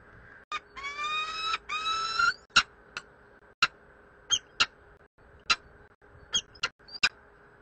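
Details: Peregrine falcon at Bielany gives two long, harsh, wailing notes, then a run of sharp, short clicking chips spaced irregularly, about ten in five seconds, against a faint steady hum.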